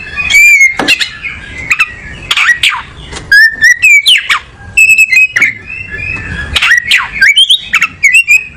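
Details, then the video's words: Oriental magpie-robin in loud, varied song: clear whistles, sweeping downslurs, sharp clicking notes and short rapid trills, phrases tumbling one after another with hardly a break. "Burung Kacer nyari posisi enak"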